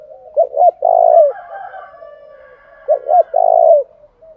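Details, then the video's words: Decoy spotted dove calling to stir wild rivals to fight. Two phrases of two short clipped notes and a long, hoarse, sustained coo, over faint whining background tones. "Tiếng chim cu mồi thúc đấu kích bổi hiệu quả/ kích là gáy"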